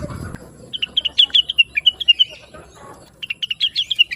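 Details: Blue-winged leafbird singing busily and sweetly, recorded as a master song to teach other songbirds. Two quick bursts of sharp, chirpy notes form short slurred runs that step downward, separated by a brief pause. A low rumble is heard at the start.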